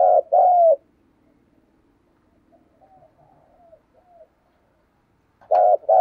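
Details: Decoy spotted dove doing the 'thúc gù' coo: a deep two-note phrase at the start, a pause with faint soft murmurs, then another short-and-long falling pair at the end.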